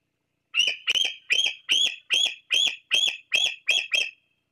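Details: Fledgling bald eagle sitting close to the Fraser Point nest, 26 July 2022, calling its parents while waiting for food: a run of ten high, piercing piping notes about every 0.4 seconds, with no other sounds.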